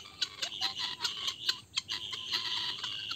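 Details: Helmeted guineafowl (Numida meleagris) giving harsh, grating alarm calls, rapid rattling notes several a second with overlapping voices, raised at a snake; the birds alarm when vipers approach.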